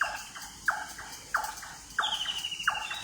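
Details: Birds calling at dawn in heavy fog, before sunrise: loud, harsh, descending calls repeat roughly every two-thirds of a second, and a thin, higher rippling trill joins near the end over a quiet background hiss.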